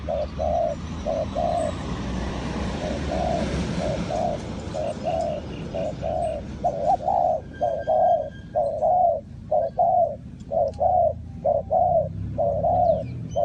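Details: Repeated soft coos from a spotted dove in a trapping setting in Ninh Thuận. They run in a rhythmic chain of short-long pairs, quieter at first under broadband rustling noise, then clearer and louder toward the end.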